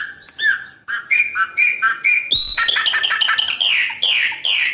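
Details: A chopi blackbird sings in nature, loud, clear whistled notes in quick, varied phrases, some bright and ringing, others harsher.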